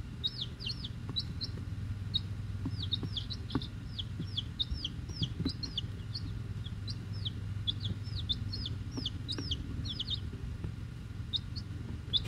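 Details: A brood of week-old chicks, eight Rhode Island Red and two Black Sumatra hens with one unknown, keeps up busy shrill peeps, quick downward-sweeping notes in clusters, with a continuous deep hum and occasional clicks beneath.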